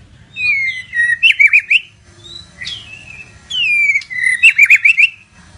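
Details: {'caption': 'White-rumped shama of the Medan type, singing very actively. It repeats a phrase twice: a long descending whistle followed by rapid, choppy trilled notes. A short rising whistle sits between the phrases over a low steady hum.'}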